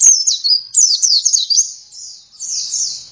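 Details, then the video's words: Oriental white-eye giving lively gacor song: a quick click, then rapid thin whistled twitters zigzagging up and down, followed by softer sustained warbling. "Pleci langsung gacor"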